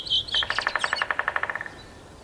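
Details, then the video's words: Drum roll of a male three-toed woodpecker in a forest park in Yekaterinburg, 25 May 2018, in warm weather between feeding on insects. Two high chirps lead into a fast burst of about fourteen taps in just over a second, fading at the end. "Когда дятлу делать нечего он по дереву стучит"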